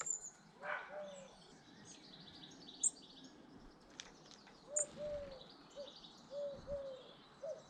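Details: British garden birds: short low hooting notes repeated in small groups, mixed with high chirping and twittering and a few flutter-like taps, against a quiet outdoor backdrop.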